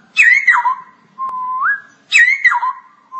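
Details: Straw-headed bulbul in full ngoceh song used as masteran tutor material: a loud, rich whistled phrase that slurs down from high to low, a level mellow whistle that rises at the end, then the rich phrase again.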